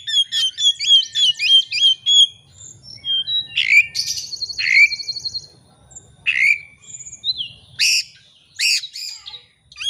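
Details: Oriental magpie-robin song used as a lure to set a bird singing against a rival. A rapid run of sharp chirps gives way to harsh rasps, sustained high whistles and scattered buzzy notes, with a soft low hum.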